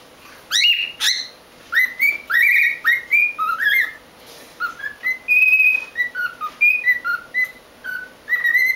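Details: A cockatiel whistles learned tunes, Jingle Bells and then the Chocobo theme from Final Fantasy, in clear notes stepping up and down.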